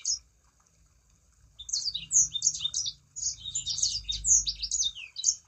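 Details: Sangihe shrike-thrush, its song used as a lure for other sanger birds: after a quiet opening, lively high chirps and whistled slurs begin, pause briefly, then resume. Faint low-frequency noise.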